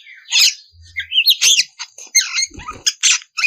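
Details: Oriental magpie-robin in rough, energetic song used to goad rival birds. Grating buzzes and squeaks sit among a few quick whistled slurs, with a faint low hum.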